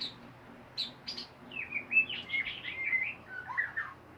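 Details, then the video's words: White-rumped shama singing in the chattering ngeriwik style: a lively run of high whistled and buzzy notes, slurring up and down, delivered in quick bursts with brief gaps. "SUARA MURAI BATU NGERIWIK BAGUS DAN MERDU"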